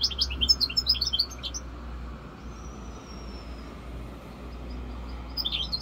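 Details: Hybrid goldfinch mule aged five months, labelled 'rosse corsica', delivers a quick run of high, tinkling chirps lasting under two seconds, then a long pause with a faint low rumble before another short twitter begins.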